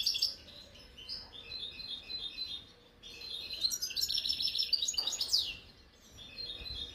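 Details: European goldfinch of the khalwi kind, 2022: soft twittering notes at first, then after a short quiet spell a loud, dense burst of jangling trills and sliding notes, fading again at the end.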